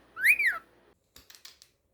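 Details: Pet cockatiel giving one loud arched whistle that rises then falls, followed by a few soft clicks and taps.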